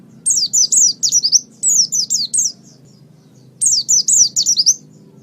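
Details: Master white-eye song for training: quick phrases of several high, twisting chirps, a pause of over a second, then another similar phrase.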